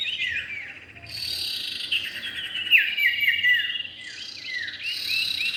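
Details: Common iora, male and female, as a bird lure: repeated short downslurred whistles and chirps, some in quick series, over rattling buzzy trills, with a louder whistled burst near the middle.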